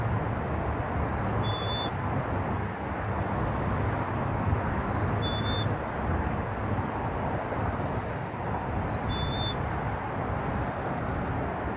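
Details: Black-capped chickadee singing near Burlington, Canada, on 26 March 2018: a clear two-note whistle, the second note lower, repeated three times about every four seconds over loud, constant low traffic rumble.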